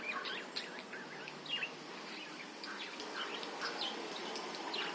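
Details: Budgerigars chattering as a lure for other birds to sing: dense, jumbled chirps and short whistled twists, continuous, over a hissy background.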